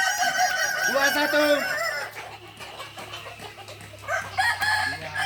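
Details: Practice crowing contest of balenggek cocks, Ampang Kualo, Kota Solok: a strong layered crow with stepped falling notes opens, then quieter overlapping crows and a low steady hum.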